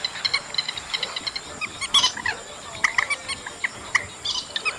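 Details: Chestnut munia chatter recorded in August: scattered sharp chirps and brief squeaky notes, loudest near the second second, with quieter overlapping calls in between.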